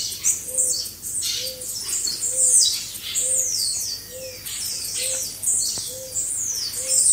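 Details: A chorus of blue-black grassquits, recorded as a group to train caged birds. Shrill buzzy downward-sliding notes overlap in quick succession, with a quiet low note pulsing regularly about every second beneath them.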